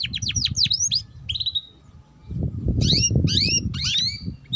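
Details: Canary song used as a lure to get young canaries singing quickly and learning the chattering ngeriwik style: rapid falling whistled sweeps and short trills, a quiet pause mid-way, then buzzy rising notes over a low background rumble.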